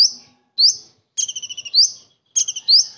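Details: Song of a common iora imitating a kingfisher's characteristic shots. Drawn-out rising whistles follow rapid rattling sequences of clipped notes, sounding clear and high-pitched against quiet surroundings.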